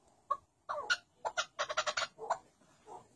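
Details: White chukar partridge giving a burst of harsh, clucking chuck notes in a short irregular series, with a softer note at the end.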